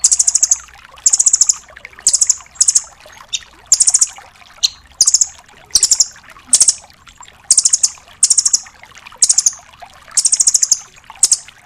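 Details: Rambatan doraemon nuthatch singing a full 'tembakan' master song, used to tutor songbirds such as magpie-robins: high thin bursts repeated about every second, each a quick chattering flutter, with faint background hiss.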